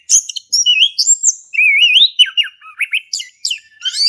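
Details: Energetic male orange-headed thrush ngeplong song, meant to prompt a quiet thrush to sing: high shrill whistles giving way to a long warbling, wavering phrase, then scattered quick slurred notes.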